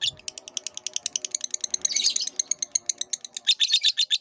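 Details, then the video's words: Caged lovebird training song: fast run of high, clipped chirps repeating at a steady pace, briefly merging into a denser squeaky burst midway, then louder rasping notes at the close. "MASTERAN BURUNG LOVEBIRD DURASI PANJANG"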